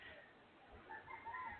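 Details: A distant rooster crows faintly in a residential community, with a thin drawn-out tone that swells and bends near the end, under a soft background hum.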